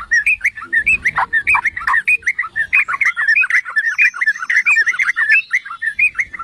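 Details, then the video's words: Yellow-vented bulbul song for provoking other bulbuls, a loud, unbroken stream of rapid gurgling, slurred notes with clear rhythmic pulses and almost no background noise. "Pancingan dan Masteran Trucukan"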